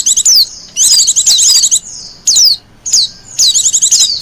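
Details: Brief, very high twittering bursts and clear down-slurred whistles from a wild Japanese white-eye, spaced by short silences. The song is intended for bird luring and master song.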